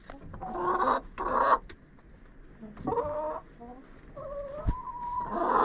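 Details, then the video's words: Hens in a coop, recorded by a GoPro set among them: bursts of harsh squawky clucking, short tonal notes and a thin whistled call, then rising squawking again at the close, with scratching noises. "Hanging out with Chickens in a Coop"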